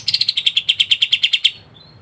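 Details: Kapas tembak (pied triller) giving a quick, even trill of about a dozen sharp high chips in under two seconds, ending with a faint thin whistle.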